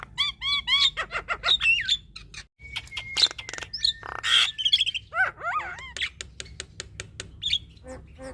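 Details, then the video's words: Female Javan myna in lively full fill-in song, used to train other mynas: rapid hooked chirps repeated in a row, a long level whistle, sharp clicks, and a tumbling run of downslurred notes. "Suara Khas Jalak Kebo Betina Gacor Full Isian"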